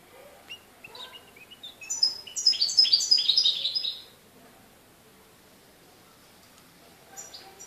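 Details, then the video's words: Goldfinch recorded in Morocco on 4 December 2013: a few scattered high chirps build into a two-second burst of rapid, tinkling twitters, then quiet with faint chirps at the end. "chardonneret au maroc le 04/12/2013"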